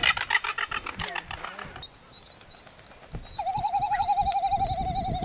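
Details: Great frigatebird of the subspecies ridgwayi on Genovesa, Galápagos, Ecuador, in May 2012; rapid rattling pulses open, then a sustained mid-pitched wavering warble fills the last two seconds, with other birds' thin whistles and background chatter.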